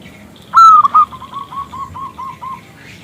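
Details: Local zebra dove calling to prompt a male to sing: a loud slurred opening note, then a series of softer, evenly spaced coo notes that fade away, with faint twittering of other birds behind.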